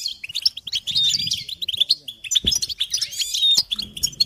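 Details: Goldfinch song on a training tape for songbirds: quick liquid twitters mixed with clear short whistles and jangling trills, delivered nonstop, with a few soft knocks in the background.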